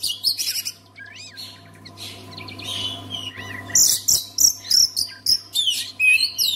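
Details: Oriental magpie-robin song played to get other magpie-robins singing: sharp high chirps, then softer whistled slurs and looping notes, ending in loud, rapid, clipped phrases repeated several times a second over a faint constant hum.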